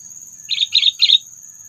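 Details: Sooty-headed bulbul call for luring and provoking predators during bird trapping: three short, harsh, bubbly chirps in quick succession against a steady thin high tone.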